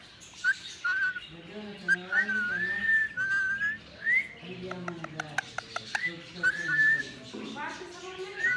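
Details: Whistles of a green Indian ringneck parakeet: repeated clear, level whistled notes, some rising or wavering, interrupted by a burst of rapid clicks and by throaty, speech-like mumbling underneath.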